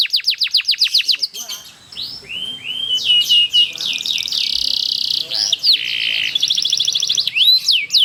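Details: Canary delivering a long rolling song to lure others into singing: quick series of falling whistles, then a long buzzy rattling roll with swooping whistles and bright chirps.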